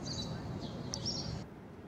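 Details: Adult male house sparrow with a black bib, in New York City, giving its basic chirp: a run of bright, high chirps for about a second and a half, over a low background rumble.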